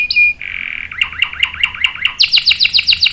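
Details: Canary rolling song, meant for prompting and tutoring young canaries: a short whistle, a steady buzzy trill, wavering swooping notes, then quick sharp high chips.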